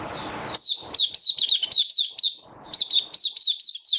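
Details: Captive white-eye, 23 March 2022, warm humid weather: brisk series of high, sharp notes that dip in pitch, about four per second, one short pause midway, then a second run of similar chirps.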